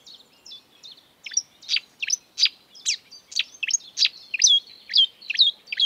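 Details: A wild marsh warbler sings a fast, varied run of high chattering and sweeping notes, roughly two phrases a second, with nothing else audible.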